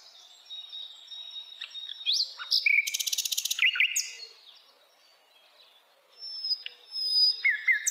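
A nightingale sings varied phrases: clear whistles, slurred rising notes and a fast rattling burst of about fifteen dry notes, then a pause before more whistling.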